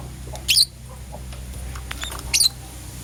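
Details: Lovebirds, a green Personata and a yellow pastel pied, chirping in the morning: two loud, piercing, high squeaky chirps about two seconds apart, with soft clicks between and a faint low hum beneath.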